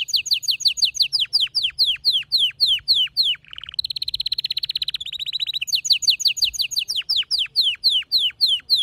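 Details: Canary song from a household bird, a male singing while a female solicits mating. Loud, evenly repeated downslurred whistles are broken mid-way by a rapid buzzy trill, then the slurred notes resume.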